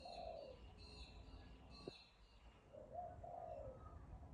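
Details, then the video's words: Bird calling: two soft, low, hollow cooing phrases, the first at the start and the second near the end, with faint higher tones and a sharp click between them over steady background hiss. "Bird Chirping Sound"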